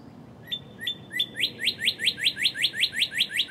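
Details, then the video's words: A northern cardinal sings close by in early morning, March 2011: three drawn-out whistled notes followed by a quick even series of about twelve loud downward-sweeping notes over soft background noise. "Northern Cardinal Singing Close-up Finale with Thunderstorm in HD"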